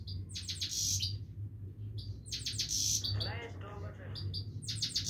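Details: Himalayan goldfinch singing continuously, bursts of high, rapid twittering notes broken by pauses, with a human voice speaking briefly midway and a low steady hum underneath.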